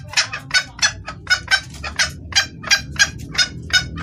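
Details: Hen red junglefowl calling for a male, a clear luring call. Quick raspy clucking notes follow one another about every third of a second, loud and even, against a low background rumble.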